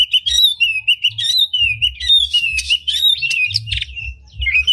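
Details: Oriental magpie-robin, tail opened, giving a unique lure song meant to fire up other magpie-robins. Rich unbroken stream of whistled warbles, chips and sliding notes, loud and varied throughout.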